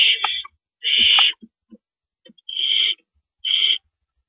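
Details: Night at an owl nest, early morning of April 4, 2012, with rabbits being brought in and taken out; four short harsh hissing screeches separated by pauses, with a few faint clicks between them.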